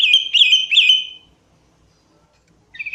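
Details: Sooty-headed bulbul used as a lure: a bright, rolling warble of three quick rising-and-falling whistles over about one second, silence, then the start of another phrase.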